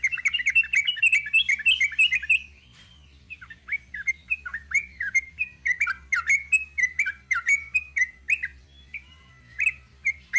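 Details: Long rapid "ropel panjang" song of a sooty-headed bulbul: a fast chattering run of chirps, a brief lull, then a sustained series of bubbly, slurred notes that rise and fall.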